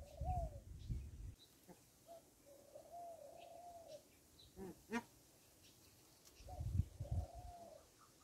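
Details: Rock dove at a farm cooing twice, each a long, soft, slightly rising and falling phrase, with low rumbling handling noise, clicks and faint voices between.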